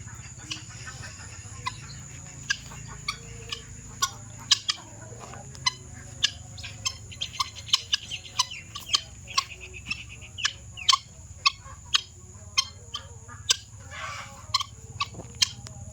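A male guineafowl gives sharp, harsh clicking calls and rasping chatter over a steady high hum.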